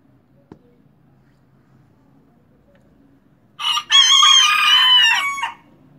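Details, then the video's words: Crowing of a young miniature cockerel, just starting to crow and marking territory: after a quiet pause with a single click, a two-part crow with a brief lead note and a long, buzzy, harmonic-rich drawn-out note. "Gallito Miniatura Cantando Kikiriki"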